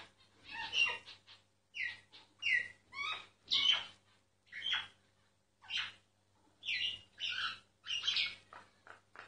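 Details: A singing myna, filmed quietly so it kept going: a steady sequence of short gurgling and squeaky notes, roughly one per half second, some sliding whistles among the harsh ones.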